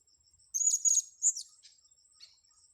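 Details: Blue-crowned hanging parrot, lured, gives one brief volley of sharp, very high squeaky chirps followed by a softer trailing note, over a faint continuous high-pitched insect hum.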